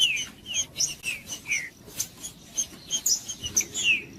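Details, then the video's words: Green-winged saltator, song played to warm up cold caged birds: quick series of slurred descending whistles mixed with thin high chirps, steady and unbroken, over a quiet background. "TRINCA FERRO CANTANDO O MELHOR VÍDEO PARA ESQUENTAR TRINCA FERRO !! ESQUENTE SEU TRINCA FERRO FRIO"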